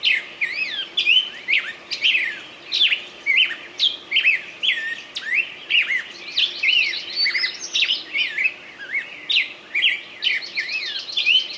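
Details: Bird song: a continuous run of varied high chirps and whistled slurs, many notes sweeping up and down, delivered in quick bursts with brief gaps, steady faint hum beneath.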